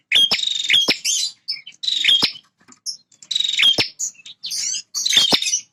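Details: Energetic song of a male bar-winged prinia guarding its territory: rasping, buzzy high bursts mixed with sharp clicks and a few thin chirps, repeated about every second.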